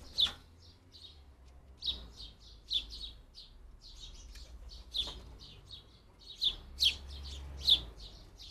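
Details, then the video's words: Several fledgling house sparrows wanting feeding at a UK garden feeding fence; rapid overlapping chirps and chips, many faint, in loose irregular runs with louder notes at intervals, steady low hum beneath. "lots of fledgling house sparrows wanting feeding"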